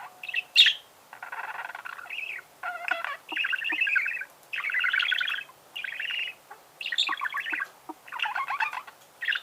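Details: Budgerigar singing: a long run of chattering, buzzy warbled phrases in bursts of about half a second to a second, separated by short pauses, with scratchy harsh notes mixed among brighter chirps.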